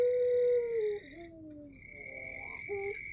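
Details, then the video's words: Male ringneck dove kept as a lure, in pelung style, holding a long, level coo that slides down at the end, followed by softer lower notes, with a steady high whistling tone running alongside. "puter pelung indukan jantan pancingan ampuh"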